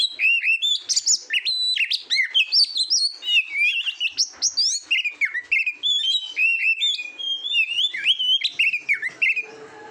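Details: Oriental magpie-robin singing continuously for competition training, a fast, dense stream of bright whistled phrases, chirps and slurred notes jumping between pitches without pause.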